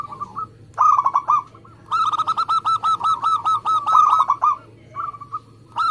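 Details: Local zebra dove singing persistently in a fast, tight style suited to competition birds. Short bursts of quick, rolling coos, then a long unbroken run of about fifteen rapid, evenly spaced notes, and more brief bursts after.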